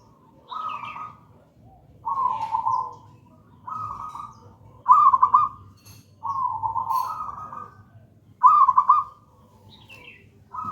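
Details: Zebra dove, local gedang rojo strain, singing for luring and song training: a steady run of about six trilled, bubbling coo phrases roughly every one and a half seconds, some louder and stuttered, with faint high chirps.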